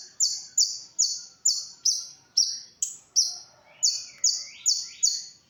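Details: Konin (olive-backed sunbird) singing for songbird tutoring: high, piercing, flat-topped notes repeated rapidly at a steady pace, with a few lower upslurred whistles near the end.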